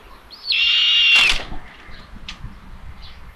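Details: Common buzzard at a live nest camera in Tiszalök, Hungary, 27 May, 12:32, while the mother feeds the third chick: one long, drawn-out, high piercing squeal lasting about a second, ending in a wing-flap-like rush, then a quiet nest with faint chirps.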